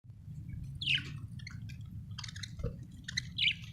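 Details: Budgerigar chirping happily: a few short scratchy chirps and warbled notes spaced across the clip, over a steady low hum.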